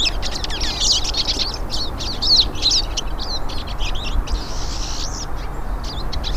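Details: Group of hooded siskins singing in natural surroundings: rapid, high, scratchy twittering with short rising and falling whistles, a brief hissy burst near the end, steady low background hum.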